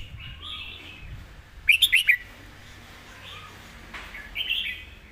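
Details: Red-whiskered bulbul song in clearly phrased master-song style: soft background warbles, then one loud rapid cluster of four bright chirps near the middle and a shorter burst near the end, with faint low rumble.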